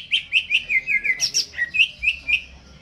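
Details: Greater green leafbird singing in its cage before being hung up, jamtrok style: a quick chain of bright chirps dropping in pitch, a higher burst, then several more spaced notes.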